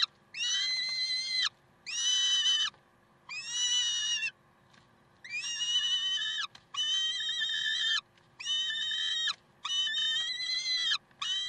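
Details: Peregrine falcons recorded in Karlsruhe, 30 May 2010, uttering a regular series of loud, piercing, harmonic screams, each about a second long with a falling end, repeated roughly every one and a half seconds.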